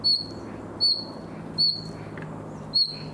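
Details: Young common nightingale practising summer song: four sharp, high, downslurred whistles spaced under a second apart, over a low background hum.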